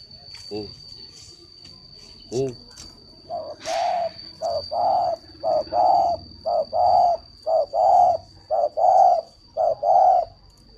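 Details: Caged dove at a bird-breeding farm in Ba Vì, Hanoi, Vietnam: a quick, uneven run of about a dozen short, hollow coos after two brief descending notes, with a steady high whine in the background.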